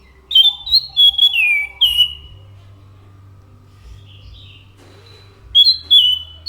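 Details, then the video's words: Orange-headed thrush delivering a phrase of clear whistles ending in a long downslurred note, then silence and a fresh burst of bright whistles, over a low hum. "SUARA ASLI ANIS MACAN GACOR"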